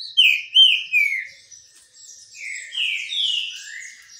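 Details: Green-winged saltator singing as it basks in the sun: sharp, loud whistles that rise and fall, then a second run of smooth descending whistled notes, with thin high twitters in between.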